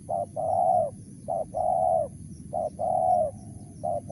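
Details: Wild spotted dove, Mersik call style: repeated paired coos, a short note then a long smooth low one, three full pairs and the start of a fourth, evenly spaced, over a faint hum and steady high whine.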